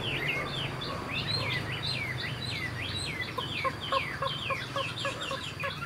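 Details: Chinese hwamei, a young caged bird, singing a fast series of clipped, slurred notes sweeping downward, repeated several times a second, with background hum and noise.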